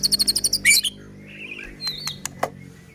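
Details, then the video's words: Lure song of a white-rumped shama, meant to set other shamas singing and agitated. A rapid run of about eight bright, high-pitched notes opens it, followed by softer warbles and scattered faint chirps. "Murai batu gacor AMPUH buat PANCINGAN murai batu agar bunyi JADIKAN burung murai EMOSI"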